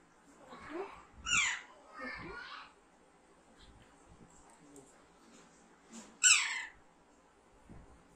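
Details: Pet Alexandrine parakeet, hand-raised from young and being trained to talk, in a quiet indoor room: three loud, harsh, grating screeches, two close together and one after a pause.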